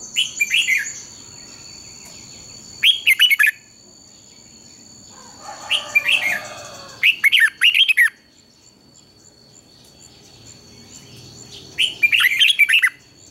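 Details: Red-whiskered bulbul (Pycnonotus jocosus) morning song from 2020, used for training birds, with long doubled, twisting phrases: bright, bubbly bursts of quick warbled phrases repeated every few seconds.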